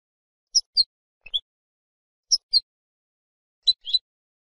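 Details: European goldfinch from a silvestrismo recording, giving sparse high chirps in pairs, a few brief notes separated by silent gaps, in a clean, quiet background.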